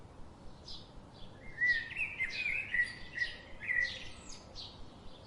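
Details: Garden birds that visit daily, chirping: a run of bright, sharp chips and short downslurred notes, loudest in the middle seconds, over a quiet background.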